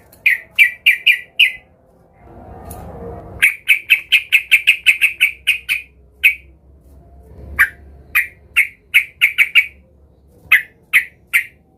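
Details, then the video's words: Yellow-vented bulbul (trucukan), described as agitated and seeking a rival, used as a lure to make other bulbuls sing. Short harsh chirpy notes come in rapid bursts of several, separated by pauses, with a brief low rumbling noise near the start. "Trucukan gacor EMOSI Mencari Lawan"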